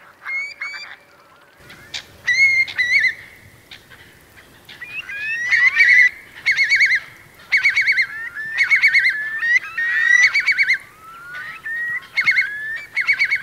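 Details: Eurasian curlews among about 3,000 roosting in wet meadows of Marquenterre, Bay of Somme, France, during a high-coefficient high tide, 7 October 2021; rapid rippling, trilled bursts repeated every second or two, loud and steady.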